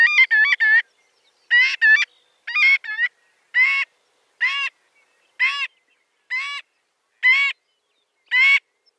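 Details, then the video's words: Marbled godwit calls begin as quick doubled and tripled nasal yelps, then settle into single loud, slightly rising honks repeated at just under one-second intervals in a quiet setting. "Marbled Godwit Sound"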